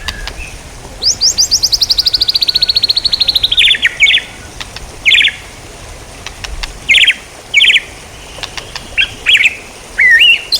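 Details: Songbird training material of white-rumped shama song: a long, rapid, descending trill of bright notes, followed by separate short buzzy bursts and a final rising whistle, with pauses between phrases.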